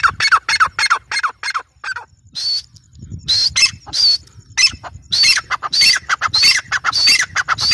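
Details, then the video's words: Female grey francolin (teetar) in a fast series of harsh, scratchy notes, a short lull, then loud screechy repeated notes building again in quick rhythm. "gray francoline teetar sound | female teetar awaz"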